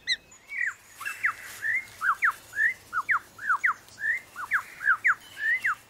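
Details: Lyrebird mimicry: one phrase of paired down-slurred whistled notes repeated rapidly, about two pairs per second, over steady background hiss and a faint low hum.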